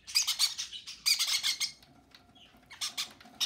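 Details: Baby conures being fed by their parents give rapid harsh, buzzy begging calls in dense bursts, pausing briefly between feeding bouts.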